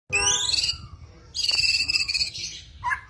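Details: Kretetan rattle of a white-rumped shama from a lure recording for songbirds: a rising whistled sweep, then a long dense high buzzing rattle, ending with a short lower chirp.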